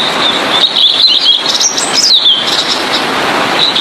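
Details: Blue-and-white flycatcher (tledekan biru) singing, recorded for tutoring other songbirds: high, quick sweeping whistles rising and falling in a short warbled phrase, over a steady loud hiss of background noise.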